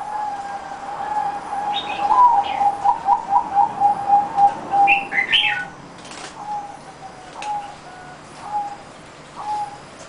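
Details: Zebra dove singing a quick series of soft, even cooing notes that slows toward the end. Separate high chirps from another bird come before and after the series. A few scattered coos follow.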